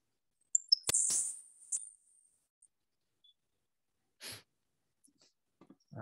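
A Grasshopper Sparrow gives two or three very high ticks, then a thin, dry, insect-like buzz lasting about a second. Soft thumps and clicks follow.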